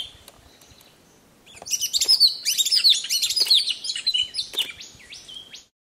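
An Eungella honeyeater gives a lively burst of high, sharp chirps and slurred whistled notes, tumbling quickly for about four seconds after a quiet start.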